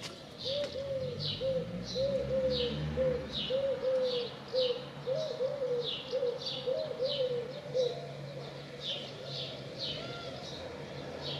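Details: A dove sings a soft, low hooting coo, repeated roughly every second in a steady series, while another bird adds brief high chirps throughout over light background noise.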